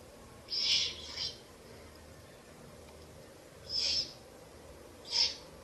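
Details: Owl chicks at their nest in a ruin, night of 30 April–1 May 2024, while being fed a rabbit; a paired hiss, a long pause, then two more sharp, breathy bursts, with faint background hum.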